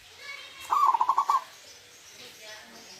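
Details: Single 'huuurrr' phrase from a wild local zebra dove: a brief, bubbling trill of about seven rapid pulses lasting just over half a second, against quiet background hiss.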